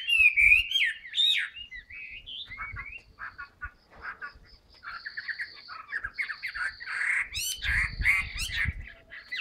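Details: Caged Chinese hwamei in new plumage, starting with loud swooping whistles, then a softer stretch of rapid stuttered notes, finishing with louder varied phrases over faint knocks.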